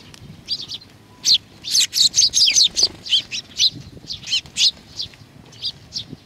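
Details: Many sparrows at Tenmangu shrine, Nakanoshima, coming for food on 21 June 2020, chattering in rapid, overlapping high chirps that build into a dense burst and then thin out.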